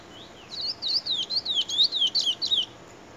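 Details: A young chestnut-bellied seed finch (Trini bullfinch), still brown, sings a fast, high, warbling phrase of sweet sliding whistles lasting about two seconds, with no other sounds.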